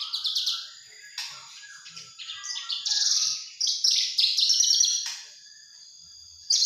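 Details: Juvenile Javan bush lark giving short separate bursts of high chirps and twittering trills, with brief pauses between phrases and a fresh burst at the close.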